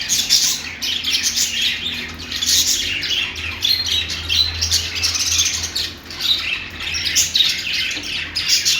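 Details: Budgie, an Australian parrot or parakeet, pouring out continuous twittering song: rapid scratchy chirps, buzzy trills and clicks in uneven rhythm, high and busy, over a low steady hum.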